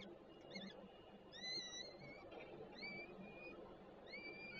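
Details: Peregrine falcons at a nest in Warszawa Żerań, Poland, on 28 June 2022, caught by a nest webcam as one bird stands guard and another arrives with food; drawn-out whistled notes with rising then level pitch, given in a few spaced bouts over a steady background hum.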